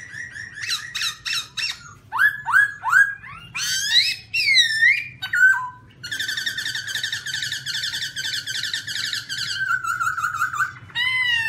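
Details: A black-throated laughingthrush, recorded on a rocky mountain in 2016, sings a loud, varied song of quick chattering notes, downslurred whistles and rising sweeps, then a long rapid rattling trill before more slurred whistles, over a low steady hum.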